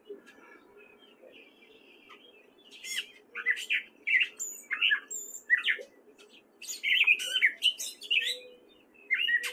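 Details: In spring in Fairfield, Iowa, a male gray catbird delivers a rambling song of varied squeaks, chips and slurred whistles in quick irregular phrases, with short gaps between groups.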